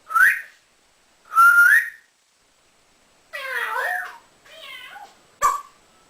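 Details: Pet male African grey parrot that whistles, swears and says phrases. Two loud rising whistles come first, then warbling, speech-like babble and a short sharp note, all indoors.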